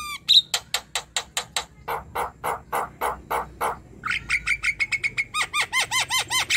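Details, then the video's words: Young Javan myna singing vigorously, used as tutor material: a fast series of harsh, buzzy broadband notes repeated several times a second, then a run of sharper, clearer whistled notes with rising and falling inflections. "Suara jalak kebo gacor | Masteran jalak kebo muda"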